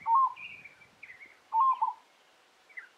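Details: Peaceful dove calling from an open branch at Kinchina Conservation Park, South Australia, on 25 September 2021, giving two soft, mellow cooing phrases about a second and a half apart, with fainter higher chirps from other birds, possibly Spiny-cheeked Honeyeaters, between them.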